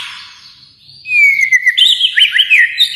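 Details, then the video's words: White-rumped shama from Kalimantan: after a soft opening, a long gliding whistle leads into a loud, jumbled stream of rapid warbled notes. "murai batu Kalimantan"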